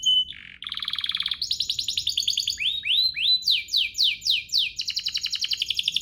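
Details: Domestic canary singing a lure song meant to set other canaries singing: quick rattling trills shift into rising swept notes repeated roughly twice a second, then a bright, dense trill closing the phrase.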